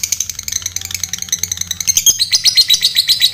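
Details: Lovebird in ngekek chattering style, a lure for rival fighter lovebirds; quick, high, scratchy notes rattle along and grow louder and denser toward the end, over a faint low hum.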